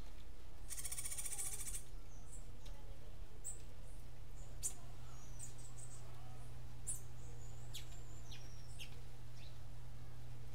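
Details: Cuban grassquit singing in the martillito style: one high, buzzy, dense trill lasting about a second near the start, followed by scattered thin high chirps and short whistled notes, over a steady low electrical hum.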